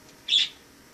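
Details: Single high, brief chirp from a wild sparrow that came in through a balcony in autumn and lived inside a home, against a quiet indoor background.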